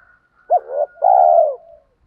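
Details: Spotted dove cooing as a lure to stir wild doves to answer. A clipped opening note slides into a wavering coo, then a sustained mellow hoot, over a faint thin whistle-like tone.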